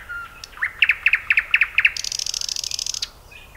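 A common nightingale sings a phrase of paired, sharp chirps, about five doublets, then a fast, buzzy high rattle lasting about a second.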